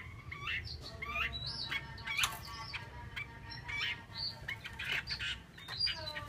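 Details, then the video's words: Female Chinese hwamei calling with scattered whistled slurs and upward-sweeping notes, a few louder harsh bursts mixed in, against a low constant hum. "con chim họa mi mái"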